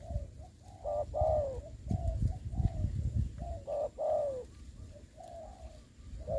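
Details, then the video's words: Spotted dove used as a ground decoy in trapping, Dong Nai, Vietnam: a series of soft repeated coos, short and longer notes in quick runs, over low rumbling background noise. "bẫy cu gáy cùi bắp clip17(bẫy cu gáy mồi đất )"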